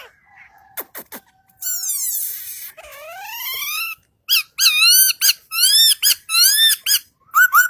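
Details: Singing bird with a varied phrase: scattered clicks, a long squeaky rising and falling sweep, then a rapid series of bright, down-curving whistled notes with rich overtones.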